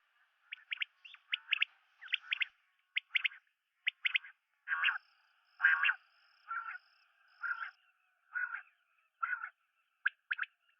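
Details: Common quail: clusters of crisp clipped notes in twos and threes, then a steady run of broad, rasping calls roughly once a second, ending with more sharp notes.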